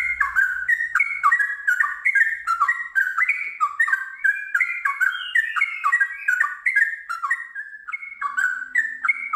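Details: Trucukan, the Sooty-headed bulbul, in vigorous gacor song: a continuous rush of rich, gurgling whistles tumbling up and down in quick succession, ngiwir flowing into a long ropel.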